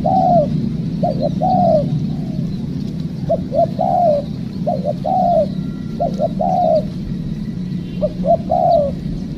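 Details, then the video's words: Wild spotted dove responding during trapping: about six repeated phrases, each two short notes followed by a long descending coo, delivered in a steady series over low background droning. "Mikat Tekukur,, Ajaran.. Poin ke2 dapat kuk2..."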